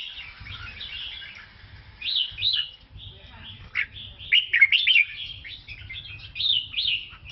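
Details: Song of a Lao red-whiskered bulbul: continuous chattering, whistled warbles with sharp slurred notes and quick trills, over a low, steady background rumble.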